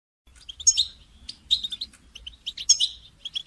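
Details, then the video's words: A goldfinch sings a quick, tinkling twitter of high, liquid notes and buzzy trills in bursts about a second apart, over a faint low rumble. "Goldfinch Motivation Performance"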